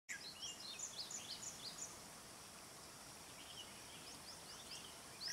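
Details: Red-whiskered bulbul giving bright, scratchy chirps in quick bursts for about two seconds, then fainter scattered notes over a steady outdoor hiss; used as a trap call for bulbuls.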